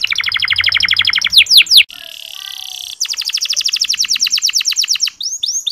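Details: Canary singing, chirping used as a lure so less spirited male canaries sing more: rapid dry trills broken by a few swooping whistles, a short pause, then another fast trill and rising slurred notes.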